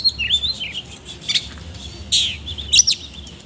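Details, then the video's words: Oriental magpie-robin singing actively in the ngobra style with coarse fill notes: high thin whistled phrases and sharp chips, set over a steady low hum. "BURUNG KACER GACOR NGOBRA ISIAN KASAR"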